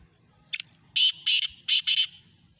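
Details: Black francolin calling: one short rasping note, then four loud harsh grating bursts in quick succession, paired as two and two, over a quiet rural background.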